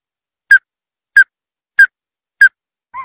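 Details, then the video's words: Ruddy-breasted crake calling: four sharp, clipped, slightly descending notes spaced evenly about 0.6 seconds apart, then the start of a softer two-toned note, against complete silence. "Ruddy Breasted Crake Bird Sound"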